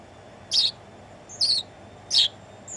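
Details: Tame house sparrow singing from a person's shoulder in the Netherlands on 1 January 2016, afternoon: three bright, clipped chirps about three-quarters of a second apart, with a low background hum.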